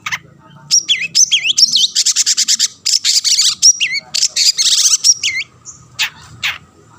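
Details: Energetic long-tailed shrike song meant to rile up rivals and draw them into singing, mixing sweeping downslurred whistles with dense raspy buzzing trills and chatter.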